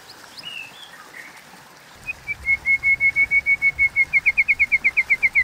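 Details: White-rumped shama contest song in the 'kéo thuốc lào' style: after a faint start, an even series of short clear whistles on one pitch speeds up into a fast run of slurred notes.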